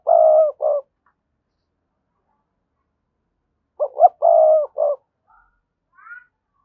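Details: Spotted dove coo used as a decoy to prompt wild doves to answer. A clipped two-part ending is followed, after a three-second pause, by a full phrase: two short rising notes, a long even coo, then a short closing note. Faint chirps trail off.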